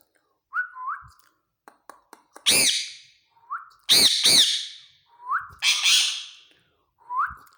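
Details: Male green ringneck parakeet, described as talking, gives short low rising whistles between loud grating screeches, some doubled, with faint clicks in between.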